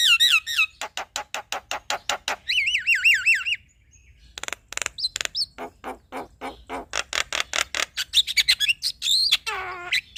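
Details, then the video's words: Male black-winged myna singing to provoke a reluctant bird into calling: rapid runs of sharp clicking notes, bursts of wavering warbled whistles, harsh chattering phrases and a descending trill, loud and continuous. "Kicauan Jalak Kebo Jantan Bikin Jalak Kebo Malas Bunyi Jadi Emosi"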